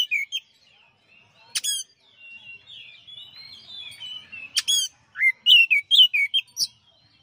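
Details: A champion Oriental magpie-robin (kacer) on a master song recording gives two harsh ringing notes separated by soft, subdued warbling, then a closing series of loud, clear downslurred whistles.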